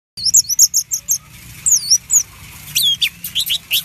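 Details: Orange-headed thrush song, a loud fighter bird's lure recording used to make another bird sing: rapid high looping whistled notes in quick bursts, a pause, then rising and falling whistles and sharp upward-sweeping chips.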